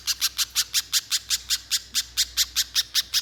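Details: Little spiderhunter in full, energetic song, used as a lure to get other spiderhunters singing long: a fast, even run of about seventeen sharp, high chipping notes in three seconds, with no other sounds.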